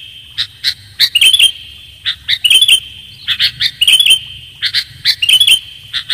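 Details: Lure recording of a sooty-headed bulbul: two or three crisp chirps followed by a quick bubbly warble, the pattern repeating about every second, with a steady high whine and faint low hum.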